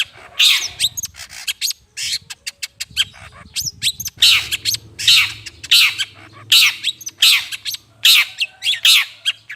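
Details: Long-tailed shrike sound meant to attract birds: scattered sharp ticks and short chirps, then a long series of harsh rasping squawks at a quick, uneven beat, with a low droning hum behind.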